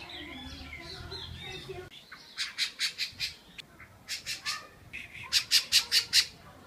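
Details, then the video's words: Thrush defending its nest with chicks at Barra do Jucu, Vila Velha, Espírito Santo, Brazil, in spring, October 2014. Harsh, rasping notes come in three rapid bursts of four to five calls each, after a low background rumble. "Sabiá defende fortemente o ninho com filhotes!"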